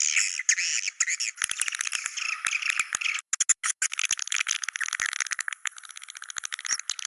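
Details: Swiftlets, "Goa China" style sound: a thick wash of high chattering that breaks into rapid clicking, rattling pulses after three seconds, with two short silences.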